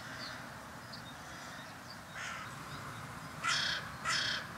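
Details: Carrion crows from a large flock visiting a bird feeding tour on a springlike warm February day in 2021. Three harsh, raspy caws, the last two loud and about half a second apart, over a quiet background with faint high chirps.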